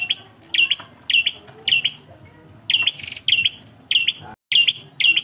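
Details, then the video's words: Bar-winged prinia, engkel style, singing repeated short chirpy two-part phrases: a bright, high note dropping into a lower twitter. There are about ten phrases in five seconds, with a brief pause before the final bursts. "MASTERAN PRENJAK KLAWU ENGKEL"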